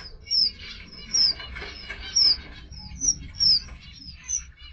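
A red avadavat gives high, thin, sweet chirps, about six short notes spaced roughly a second apart, over a faint low background hum.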